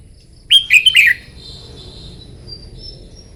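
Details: Red-whiskered bulbul's morning contest-training song: a single brisk phrase of three or four bright, slurred whistled notes, dipping at the end, followed by near silence with a faint high background tone.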